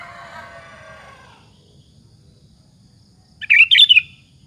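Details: After a fading soft harmonic sound, a sooty-headed bulbul singing to provoke rival bulbuls bursts out with one rapid, warbling cluster of whistled notes.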